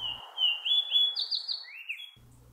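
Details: In June in northern woods, a fox sparrow sings a loud, rich run of clear whistled notes, sliding up and down in quick sweet phrases over about two seconds; finding: Fox Sparrow.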